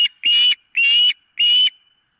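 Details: Osprey at the nest, filmed by a nest camera on the morning of 4 September 2023, uttering three strong, piercing whistled cries, each lasting about a third of a second, evenly spaced with brief gaps between them.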